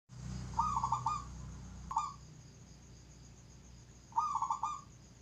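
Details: Zebra dove, described as nduduk, giving a low cooing phrase of rapid stuttered notes ending in a drawn-out tone, followed by a short single coo and then another full phrase, over steady background hiss.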